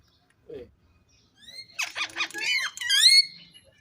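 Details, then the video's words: Caged Indian ringneck parrot talking: after a short low sound, a rapid string of harsh, speech-like syllables builds into a loud rising harmonic phrase. "Gergeous parrot in one cage in amazing talking"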